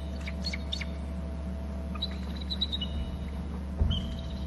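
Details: Bald eagle landing on an upper left branch at its Hornby Island nest territory after flying in from inland, giving a thin, high stuttering trill of quick piping notes, then a brief sliding whistle, over constant low hum.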